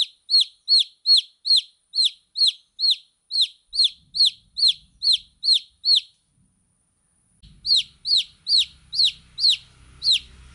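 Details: Baby chicks peeping in long runs of shrill, down-slurred notes, about fourteen then eight more after a short break, the later ones over a low rumble.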